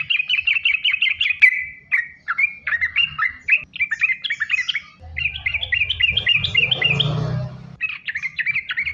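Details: Sooty-headed bulbul in active 'gacor' song, continuous 'sambung ropel' style used to lure other bulbuls; strings of evenly spaced down-slurred whistles, brief gaps, and a passage masked by low rumbling noise.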